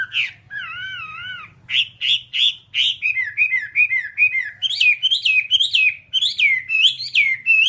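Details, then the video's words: Whambie singing on a master recording meant to train cage birds to sing well and win contests: wavering whistles, then rapid varied chirped notes repeated in a lively stream. "Masteran Whambie nonstop 1 jam"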